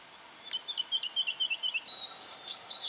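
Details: Black honeyeater recorded in Victoria, Australia, in October 2011: a quick run of about eight short, clipped, high notes repeated evenly, followed by thinner, higher drawn-out whistles, over a faint steady hiss.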